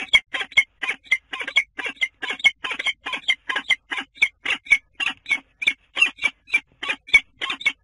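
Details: At a nest on a water tower in Scheveningen, Netherlands, a common kestrel gives a steady series of sharp, rasping notes, about three each second, with no other sounds.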